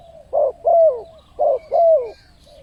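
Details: Spotted dove cooing as a lure call to draw in wild birds: two soft, low paired coos, each pair a short hum followed by a longer note that slides down, with faint higher chirps from other birds in the background.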